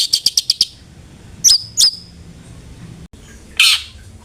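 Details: Long-tailed shrike lure meant to trigger singing: a rapid burst of five high chirps, then two squeaky whistled notes, a quiet gap and a final harsh squawk.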